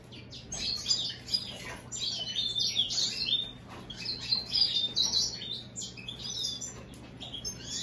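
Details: Cross between American goldfinch and European greenfinch pouring out a lively high twittering song of quick chirps, whistled slurs and trilled runs, nearly continuous, with a faint low hum.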